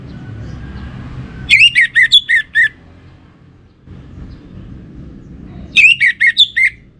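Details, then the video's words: Orange-headed thrush song from a kept bird in North Bali, Singaraja: two matching phrases of five or six rapid varied whistled notes, slurred up and down, separated by a few seconds of low rumbling background. "Spektakuler Kicauan Burung ANIS MERAH Pancingan Bikin Teler"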